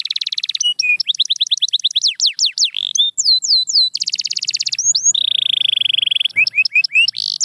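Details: Canary song in fast-changing tours: a dense buzzy trill, then rapid descending whistled sweeps, a long steady high trill from about four seconds, and a flat sustained note followed by short sharp chirps.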